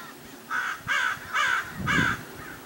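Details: Common Raven recorded in the Santa Monica Mountains at Paramount Ranch, California, in January 2021: four loud, rough, croaking caws, each about a third of a second long, evenly spaced.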